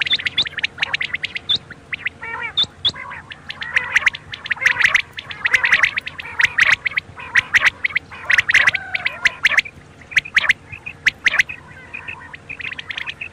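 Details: Quail give dense, overlapping chirps and rasping notes in irregular bursts, roughly once a second, over a steady low electrical hum; a call recording intended for night use.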